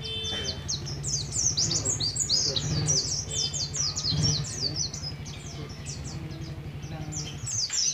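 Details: Dense, fast run of high chirps and falling whistled slurs from a young Oriental white-eye of Moga, Pemalang, Central Java, learning the ngalas ngeroll style, with a constant low hum underneath.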